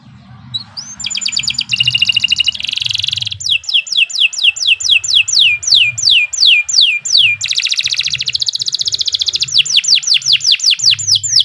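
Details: Long canary song used as training material: opening buzzy rattles give way to rhythmic strings of steep falling whistles, more rattling trills, then further whistle runs, with a low rumbling hum in the background.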